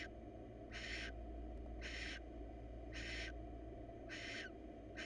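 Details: Wild female barn owl inviting a male to mate while he refuses, early before breeding in hot weather: harsh, breathy hissing screeches, each about half a second, repeated roughly once a second over a steady low hum.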